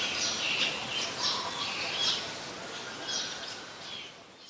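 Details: Scaly-breasted munia recorded 7 January 2020 in Ubon Ratchathani, Thailand: soft, high, slightly buzzy chirps in small bursts roughly every second, fading toward the end, over an even background hiss.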